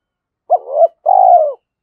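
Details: One phrase from a trained decoy spotted dove that calls to challenge rival males: a brief clipped note slides into a rising coo, then a longer vibrating coo falls in pitch. Nothing else is heard.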